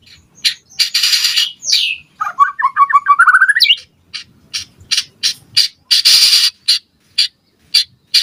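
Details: White-rumped shama song played to draw a reply from other shamas: loud harsh rasping bursts broken by a brief rising run of whistled notes, then repeated short ticking calls.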